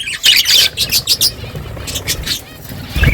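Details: Budgerigars chattering as a morning flock: a rapid string of bright squawky chirps, fading into softer warbles, with low rumbling noise underneath.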